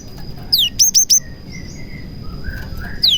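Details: A cinereous tit sings with prenjak (prinia) imitations to lure other tits into song. A falling sweep leads into three sharp, high chirps, then softer rising notes and another descending slur close the passage.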